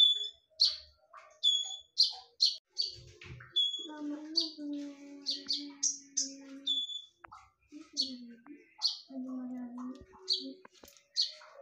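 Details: Loud, sharp konin song used to lure birds: fast high strident notes mixed with flat whistled tones, set against lower warbling from other birds and a faint hum.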